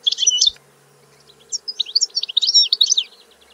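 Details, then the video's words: European goldfinch singing a quick, tinkling, high-pitched phrase, then a pause and a longer run of liquid twittering notes and trills tumbling together. "Canto del Cardellino - Song of the goldfinch"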